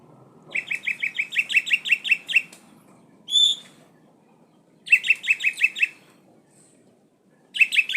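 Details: A kacer poci, an Oriental magpie-robin kept as a songbird, sings actively. Rapid bursts of about eight bright chattering notes are separated by pauses. A single clear whistled note comes between the bursts, and the background is quiet.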